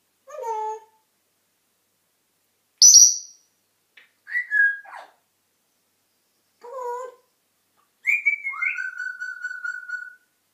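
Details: African grey parrot talking and whistling: several separate harmonic calls and squeaks spaced by pauses, a high piercing whistle, ending with a long steady whistled note held for about two seconds.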